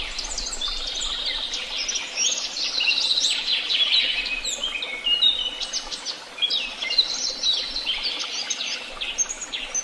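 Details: Overlapping birdsong from Tehidy Woobs, energetic and continuous, with fast twittered phrases, sharp chirps and sliding whistles from several singers, plus a faint low rumble.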